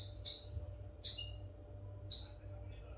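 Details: European goldfinch notes meant for training caged goldfinches: four short, bright, high chirps spaced roughly every 0.8 seconds, each a quick tinkling double note, with a soft background hum.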